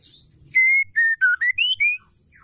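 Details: Female white-rumped shama song, played to stir males into singing: a phrase of six clear whistled notes, long level tones, then a lower dip, then rising notes, delivered over about one and a half seconds.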